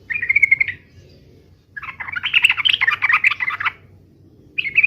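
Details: Yellow-vented bulbul singing an 'uplik uplik' fighting song: a short, steady whistled note, a quiet gap, then a dense bubbling phrase of rapid notes, and a final brief whistle.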